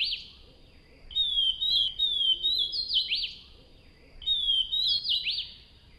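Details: Wild Swainson's thrush singing: two fluting phrases, each a run of high whistled notes that spiral upward and end in a quick rising flourish, separated by a pause of about a second; steady faint background hiss.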